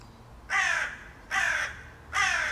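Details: A crow, growing trusting of the household, calls from a tree behind the house: three harsh, hoarse caws about a second apart, each rough and level in pitch, against a quiet background.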